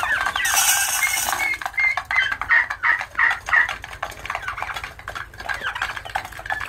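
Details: Turkey poults peep in rapid, fairly regular series of high whistled notes, roughly three per second, after a brief burst of rustling noise at the start; several chicks call together over background clicks.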